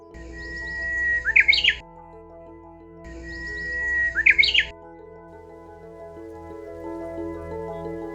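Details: Japanese bush warbler song from a Korean island, Geoje (simpler syllables) or Oeyeon (more complex), illustrating regional dialects: two songs about three seconds apart, a long steady whistle then a rapid, complex flourish of tumbling syllables, soft music underneath.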